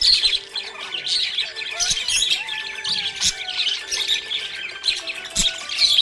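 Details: Happy budgie chirping: busy, high warbled chatter and squeaky tweets pouring out almost without pause, over soft background music with steady tones.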